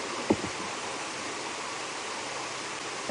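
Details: Steady broadband outdoor hiss like rushing water or a running vehicle, with two short knocks near the start and end and no animal voice.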